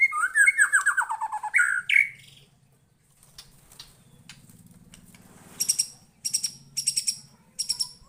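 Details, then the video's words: White-rumped shama responding to a lure recording: two seconds of loud falling whistled trills, then a pause with a low hum, followed by spaced bursts of very high, sharp chips. "Kicauannya gak ada remnya !!! Tonton sampai akhir video Murai Batu Gacor ini"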